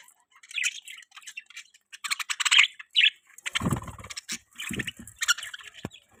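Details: Budgerigars in an outdoor aviary chirp and warble in scratchy bursts, mixed with low knocks and fluttering.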